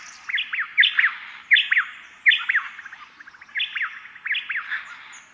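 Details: A honeyeater pair in spring counter-singing, alternating calls back and forth between left and right using a two- or three-phrase 'quit you' call; sharp down-slurred whistled notes repeated roughly every 0.7 seconds in clustered phrases.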